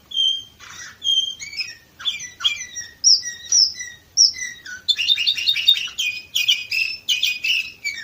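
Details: Varna, Bulgaria, 2018: a canary alternates clear whistled notes with short chirps, then speeds into a bright, rapid rattling trill of high tones.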